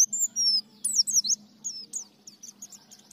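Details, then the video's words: White-eye delivering gacor ngriwik and nembak phrases: a few long, thin descending whistles, then sharp slurred notes breaking into a quickening series of short, softer high chips, with a low background hum. "Terapi Pleci Ngalas Nembak Ngriwik Gacor"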